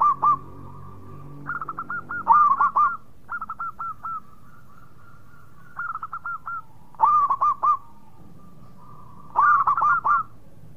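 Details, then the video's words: Lively song of a local zebra dove from Indonesia: alternating soft and loud bursts of four or five rapid, throaty coos, repeated several times over about ten seconds. "Perkutut Lokal Gacor Suara Mewah"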